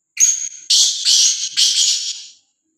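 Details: Loud, harsh grating call of a free-roaming, fearless black francolin: a shorter opening note followed by three broad rasping phrases in quick succession.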